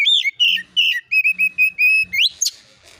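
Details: Oriental magpie-robin (kacer) master recording in 'nembak isian' style, used to provoke agitated answers: quick string of rich whistled notes with slurred ends, finishing with steep rising sweeps; faint low hum behind.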